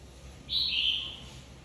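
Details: Caged red-whiskered bulbul, a flock leader newly separated from the aviary, in competitive singing: one loud whistled phrase, slightly falling and warbled, lasting about half a second.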